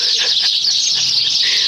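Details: Morning in a rural yard: many birds gathered in a tree in front of a house make a dense, continuous chorus of high, chattering calls blending into a shrill wash, with faint traces of a nearby voice.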